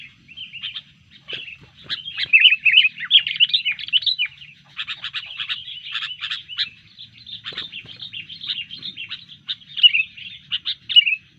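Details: Agitated sooty-headed bulbul, disturbed and ready to fight, delivers long stretches of rapid chattering and clicking notes with bright warbled phrases, nearly without pause.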